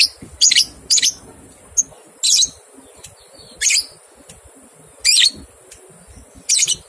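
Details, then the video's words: Lovebird ngekek song on a training recording meant to get two-month-old young lovebirds singing: harsh, broadband chattering bursts about a second apart, each short and scratchy, with a steady high hiss throughout. "Masteran Lovebird Paud 123 Ketukan Terbukti Ampuh Merangsang balibu 2 bulan Ikut Ngekek"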